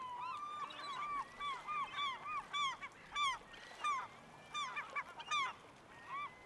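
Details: Black oystercatcher (Haematopus bachmani), call.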